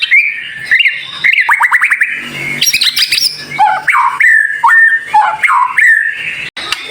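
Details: White-rumped shama tutor song, dense, sharp and high-pitched, meant to prompt other shamas to sing: varied whistled phrases, rapid downslurred note series and rising sweeps, with short gaps between bursts.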